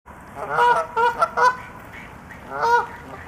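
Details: Canada geese taking off and flying give five loud, nasal, two-toned honks in quick, uneven succession, then pause before a final honk, with faint background noise underneath.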